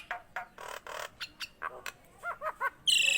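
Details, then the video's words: Nias hill myna in full song: soft knocking notes, a few clicks, three bouncing whistled notes, then a sudden loud, harsh screech to finish. "JALAK NIAS GACOR"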